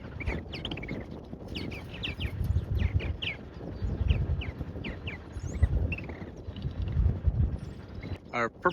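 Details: Purple martins, just arrived back on April 18 for their third year at an Indiana bison farm in spring, give a steady run of short, gurgling chirps and rich warbled notes over a man speaking in the foreground.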